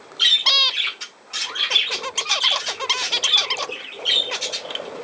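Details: Budgerigar opens with a loud, buzzy, stacked squawk, then continues with rapid scratchy warbling and chirps, with short gaps between phrases.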